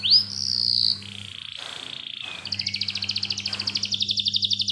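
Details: Young canary song played to coax canaries that have stopped singing into clear, extended rolls; a sweeping whistle, a sustained buzzy tone, then a fast pulsing trill of rapid repeated notes over a low hum.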